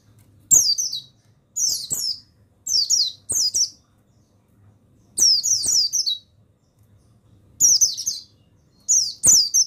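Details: Male buxtoni mountain white-eye singing for a recording used to get other birds singing: a long series of brief, bright, tumbling high twitters, about nine phrases in ten seconds, with light clicks between.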